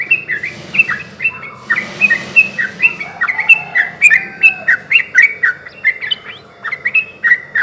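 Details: Sooty-headed bulbul singing energetically, used as a lure to get other bulbuls to answer; quick bubbly whistled phrases, rising and falling, repeated several times per second in a steady chattering stream, with faint background hiss.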